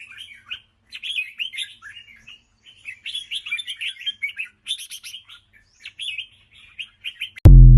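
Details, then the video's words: Lively 'ché' song of a red-whiskered bulbul: short phrases of slurred, chattering chirps repeated in quick succession, ending with a sudden loud low thump. "chào mào ché cực hay"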